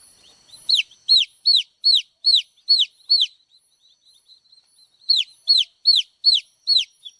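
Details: Rapid series of high, downward-sweeping chick peeps, with faint soft chatter during a short lull before another burst of loud chirps.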